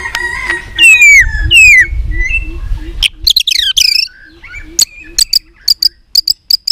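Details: White-rumped shama, trained to sing in competitions with many voices, gives long down-slurred whistles, then rapid chattering phrases and a run of evenly spaced sharp high chips, over a steady low repeated tone.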